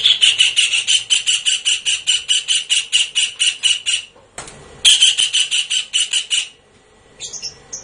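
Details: Shrill, rapidly repeated high notes of a blue-eared kingfisher, used as a lure, in a long series with a short gap, then a second series and a few faint notes at the end.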